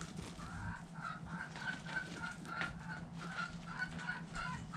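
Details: Backyard hens clucking while dust bathing, a series of soft repeated clucks spread evenly through the clip over low background rumble.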